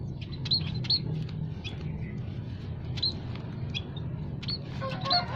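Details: Munias in an aviary, a mix of emprit kaji, peking and jawa, used as a trapping lure: scattered thin high chirps, a few bright ones standing out, with a low droning background.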